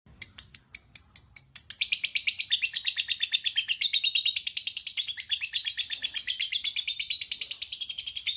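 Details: Lovebird giving a long run of rapid, high, shrill chirps, repeated about three times a second, the pitch sliding down and then rising again over eight seconds.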